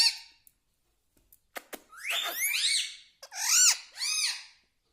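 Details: Talking pet parrot, called tota, at home; shrill, arching squawk-like notes bending up and down in three or four bursts, preceded by a few sharp clicks, in a quiet indoor room.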